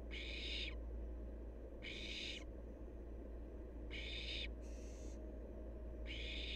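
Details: Harsh, noisy hissing from a wild barn owl fledgling: five screeches of about half a second each, two of them nearly back to back, over a constant low background hum.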